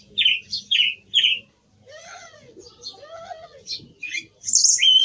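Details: Song thrush singing: a bright, high phrase given three times in a row, then a pause, a lower arching tone and a burst of sharp, varied high notes.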